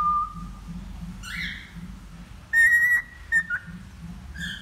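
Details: Male cockatiel still learning its song gives a short low whistle, a quick rising slur, then a loud held whistle with buzzy overtones, followed by two brief clipped notes and a final chirp, over quiet background hum.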